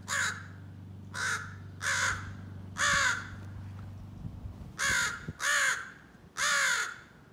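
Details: Young crow practising scolding and territorial calls: seven harsh, hoarse caws delivered singly at uneven gaps of about one second, each with a slight downward bend, over a steady low hum.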